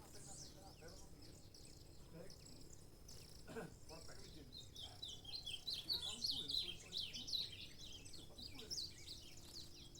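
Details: Saffron finch song of scattered high chirps that build into a denser, louder sequence of quick sharp notes in the second half, with low rumbling background noise.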